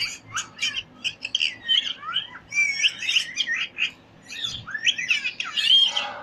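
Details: Parrot chirping in quick high tweets and twisting whistled notes, delivered in clustered bursts with short gaps.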